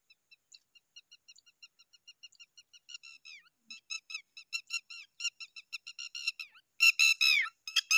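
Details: A hungry Zitting cisticola chick begging: a long series of thin, high whistled notes repeated about three times a second, growing louder and more rapid, ending in loud harsh squealing notes.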